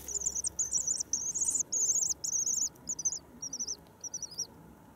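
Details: Common swifts, just back on 9 May in spring: a run of about eight shrill, buzzy trilled screams. The first bursts are long and loud, and later ones grow shorter and fainter, over a quiet background.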